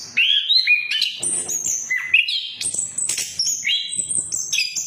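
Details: Lure song of an orange-headed thrush: a busy string of sweet whistles, slurred notes and high squeaky phrases shifting pitch every fraction of a second, sung without pause.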